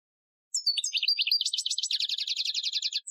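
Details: European goldfinch performing an Algerian-style training song, 2015: a continuous high, twittering run of chirps flowing into a pulsing trill for nearly three seconds without pause.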